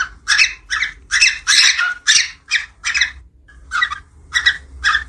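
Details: Budgerigar mating call, used to stimulate breeding: harsh, buzzy chattering notes in short bursts, repeated about twice a second, with brief pauses.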